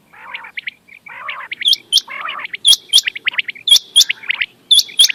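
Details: Quail sounds used as a night-hunting lure: soft buzzy rattles at first, then crisp repeated chirps with piercing high ticks. Groups recur roughly every second, steady and busy.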